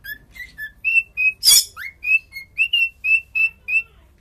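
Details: Singing cockatiel gives a steady string of short bright whistled notes, about three per second, broken midway by one loud harsh burst followed by an upward-sliding whistle.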